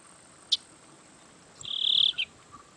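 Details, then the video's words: Yellow-winged Blackbird (Agelasticus thilius) song: a single sharp high note, then after a pause a harsh, buzzy drawn-out trill ending in a quick clipped flourish. "Canto do Sargento Agelasticus Thilius"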